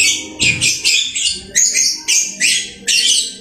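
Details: Captive lovebird chattering: short, shrill, buzzy bursts repeated roughly twice a second, each starting sharply and fading quickly.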